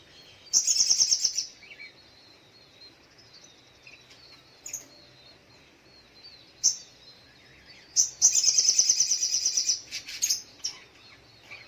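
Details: Little spiderhunter (sogok ontong) singing in the morning: very high, thin trilled bursts and sharp repeated chips, with dense rattling trills at the start and again near the end, between scattered single notes.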